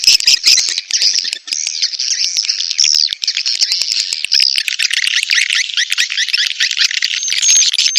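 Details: Lure recording of edible-nest swiftlets in mating call: unbroken dense chirping and buzzy twitters, with a brief high whistle near the end.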